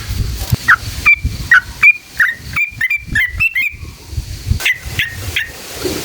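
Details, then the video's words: Sooty-headed bulbul song played to goad other bulbuls into singing: separated whistled notes, some level and some dipping, given in an uneven series with short pauses, over low background rumble. "SUARA trucukan gacor JITU NGALAS ROPEL PANJANG buat PANCINGAN agar burung trucuk gacor EMOSI"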